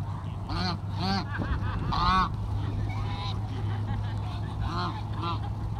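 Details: At feeding time, geese give scattered nasal honks and a few hoarse notes over heavy low rumbling background noise.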